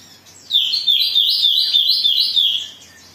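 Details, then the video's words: Oriental magpie-robin singing in an agitated mood, a recording used to provoke singing: a fast string of looping high whistled notes, roughly three per second, rising and falling in a steady wavy series for two seconds. "Pancingan Kacer Gacor || Suara Kacer Emosi"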